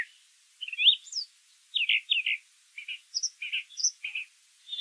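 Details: Brown thrasher song, somewhat quieter, with paired slurred chirps and a few high thin notes in varied phrases over faint background hiss.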